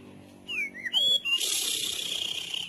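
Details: White-rumped shama training song in the cililin style: a few slurred, rising and falling whistles, then a loud, sustained, high buzzy trill.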